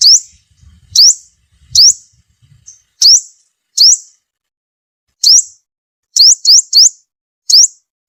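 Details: Sunbird lure call for trapping: piercing rising chirps at irregular spacing, some doubled or tripled in quick succession, with faint low rustling early on.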